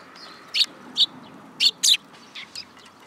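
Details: Fledgling sparrows climbing onto a person's hand at a Tenmangu shrine, July 2022: scattered sharp chirps about every half second, some doubled, fading to softer notes near the end over a low steady hum.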